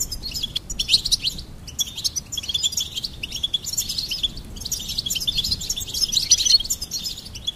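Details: Goldfinch singing in a recording meant to stimulate birds: continuous high, jangling twitter in three loose bursts, mixing liquid trills with short chirps. A soft low hum runs underneath.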